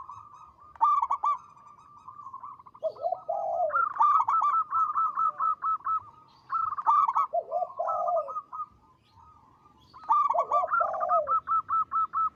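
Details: Loud, long-voiced local zebra dove song: fast staccato coo trains at about two notes per second, punctuated three times by a lower warbling, rolling phrase, over a steady background tone.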